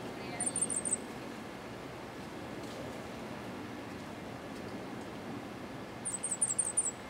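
Cuban grassquit giving two short bursts of very high, thin, rapidly repeated notes about five seconds apart, its 'hammer and bell' song type, over a steady low background hiss.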